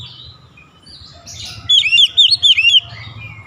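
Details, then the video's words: Short Oriental magpie-robin phrase of about one second: a series of repeated high, slurred whistle notes in quick succession, set against faint chirps of other birds. "KICAUAN KACER YANG INDAH DAN ENAK DI DENGAR"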